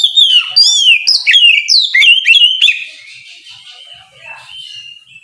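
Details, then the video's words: An Oriental magpie-robin delivers its ngeplong song at morning to lure a rival into replying: strong, fluid whistled notes sliding down and up, rapid and varied for nearly three seconds, then fading to soft, quiet warbling. "Kicau suara burung Kacer ngeplong memancing lawan di pagi hari"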